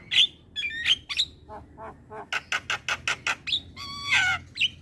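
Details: Black-winged myna song as masteran for young mynas: whistled notes, then a rapid row of harsh rasping bursts, ending in a loud screechy squawk and a final whistle.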